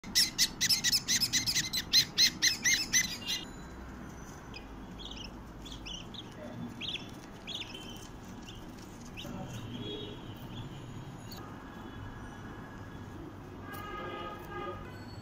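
Budgerigar giving a quick run of loud, scratchy chirps, then softer scattered chirps.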